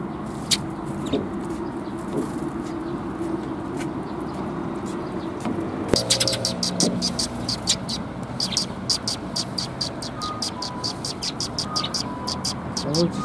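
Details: Sparrows coming to be fed at Mizukami bridge on 1 April 2021: after a muffled stretch with voices and low rumble, a dense run of short, sharp repeated chirps starts midway and continues steadily to the end.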